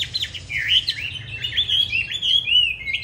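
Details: Chinese hwamei 'Lục Đậu' fighting song used to train others: continuous sweet warbling whistles weaving up and down without break, clear and loud.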